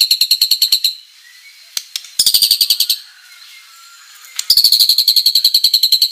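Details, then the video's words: Vigorously singing murai batu, or white-rumped shama, used as a lure for rival birds: three bursts of fast, high, buzzy pulsed trills separated by short pauses with faint clicks. "MURAI BATU GACOR full isian materi mewah"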